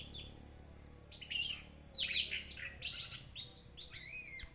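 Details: Orange-headed thrush, used as a lure to make a bird agitated and vocal: a quiet start, then a lively string of high, sharp chirps, sweeping whistles and rising slurred notes delivered in quick succession.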